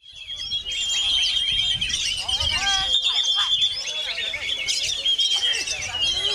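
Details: Oriental magpie-robin singing while buffeted by strong wind: a dense, fast stream of varied chattering notes, short whistles and rapid trills, with a steady thin high tone running underneath.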